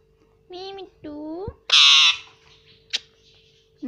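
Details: Indian ringneck parrot, a green household pet that imitates its owners saying "mummy" and "papa", speaks two rising harmonic syllables, then lets out a loud harsh squawk lasting about half a second, followed by a sharp click.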